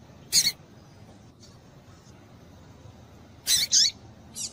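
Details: Female double-collared seedeater calls, used to stimulate males into calling back: a sharp high chirp, a long quiet gap, then a doubled chirp and a softer final note.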